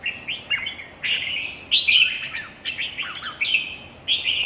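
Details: Red-whiskered bulbul in a singing contest, giving loud fluty whistled notes in short bursts roughly every half second, with some downslurred and wavering phrases.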